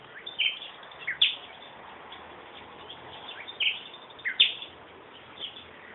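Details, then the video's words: Bird song in brief high bursts: short chirped and slurred notes repeated irregularly, about one phrase per second or two, with quieter notes between them against constant background hiss. "ПОЈ ПТИЦА"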